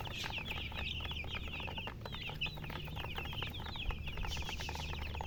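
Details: Many baby chicks peep together in a continuous, busy chorus of short high chirps, with a steady low hum underneath throughout.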